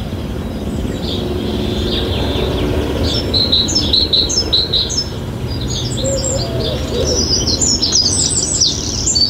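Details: Long-tailed tit gathering moss to line its nest on a spring morning gives thin, very high contact notes in quick bursts, while a wren sings in the background over a low outdoor rumble.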